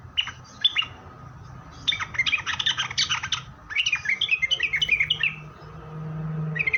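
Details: Sooty-headed bulbul song used as a lure to draw other bulbuls into answering: bursts of short, bright, chattering notes with quick downslurs, in loose phrases separated by brief pauses; a steady faint hum underneath.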